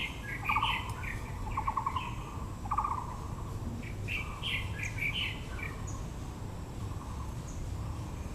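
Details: Taiwan blue magpie at Yangming Park, Yangmingshan National Park, Taipei, azalea season: several quick buzzy rattling bursts early on, then busy higher chirps and squeaks from other birds over steady low outdoor hum.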